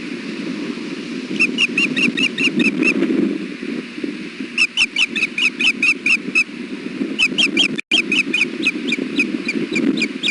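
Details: Brooding male osprey sounding alert on a gusty day at a Hellgate nest, 3 July 2016, early afternoon: four rapid runs of thin, piercing chirped notes, closely spaced, with loud wind roaring underneath throughout.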